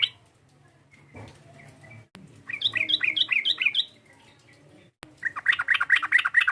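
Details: Sooty-headed bulbul provoking a rival: after a few scattered chirps, a fast run of bright, bouncing notes follows, a pause, then another dense burst of rapid chattering chirps.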